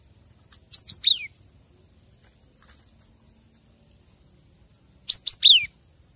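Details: Cinereous tit (gelatik batu) master recording for training caged birds: two quick bursts of three or four bright, high, downslurred notes about four seconds apart, with near silence between.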